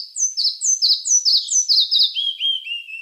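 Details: Red-breasted flycatcher song, a clear run of paired high notes repeated about twice a second and sliding lower through the phrase, ending in softer, lower slurred whistles.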